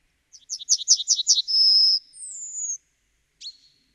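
A Yellowhammer sings a quick run of high, dry chipping notes, then a long thin whistle and a falling drawn-out note, the familiar 'little-bit-of-bread-and-no-cheese' pattern.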